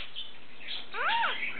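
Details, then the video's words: Pet lineolated parakeet, the talking cream male of three, which mimics words and growls. A single brief arched, harmonic, speech-like phrase rises and falls over a quiet indoor background. "Lineolated Parakeets Talking"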